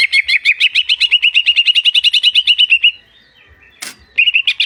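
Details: Greater green leafbird singing a fast run of bright, high chirped notes, about two per second, climbing slightly over three seconds, then a pause with a sharp click before the chirping resumes.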